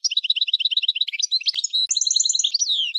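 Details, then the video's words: Dense, fast goldfinch twittering, rhythmic tinkling notes rising and falling continuously for three seconds, finishing with a long falling slur. "Chant du Chardonneret"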